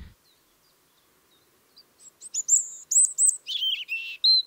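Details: European robin in Tsaritsyno park, Moscow, on 30 March 2023, a voice already heard at night; after near silence, high thin whistled notes build into quick, varied twittering and trilled phrases over the last two seconds.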